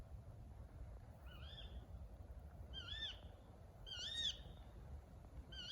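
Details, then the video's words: Tawny owl calling at night on a wooded ride at Much Marcle: sharp, high, slightly downslurred calls given three or four times about a second apart, over steady low background rumble. "Tawny Owl Call"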